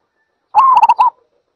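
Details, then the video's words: A single zebra dove phrase: one steady, hoarse coo running straight into three rapid clipped notes and a final short coo, all at the same mid pitch, with no other sounds. "សំលេងលលកដី Zebra Dove"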